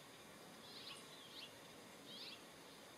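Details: American robin at Pinnacles National Park, California, USA, on 8 March 2023, recorded with a compact camera: three faint, high, slurred chirps in quick succession over a steady hiss of background noise.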